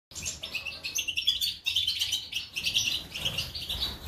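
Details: European goldfinch of the Major type, Germany, 2020, singing a rapid, continuous twittering song of bright high chirps and trills with short buzzy notes, barely pausing across the stretch; a faint low rumble underneath.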